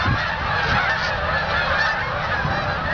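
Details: Canada geese passing overhead above farmland in Ottawa, Canada, in November 2008: a steady wall of many honking voices calling together, nasal and overlapping, with low rumble beneath throughout.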